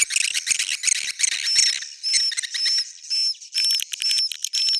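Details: Swiftlets in an old-style sound: rapid, clicky chirps at first, then evenly spaced short bright whistled squeaks, roughly two a second, over a buzzy hiss.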